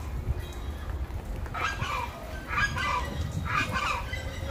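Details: Noisy chachalaca calls come as coarse, honking squawks in separate bursts, about one per second, against a constant low-pitched background hum.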